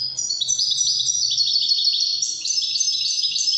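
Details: Moroccan Wedani-style song of a European goldfinch: continuous rapid, high-pitched twittering and tinkling trills, notes shifting up and down without a break through the whole stretch.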